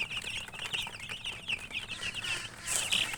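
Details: Chicks chirping together, a continuous overlapping stream of thin high peeps and short sliding cheeps, with light background rustle.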